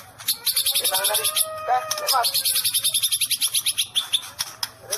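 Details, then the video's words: White-rumped shama giving "sambaran listrik" (electric strike) song: a rapid, steady series of very high, sharp ticking notes, about six per second, over soft, low warbled whistles near the start. "Murai mengeluarakan sambaran Listrik"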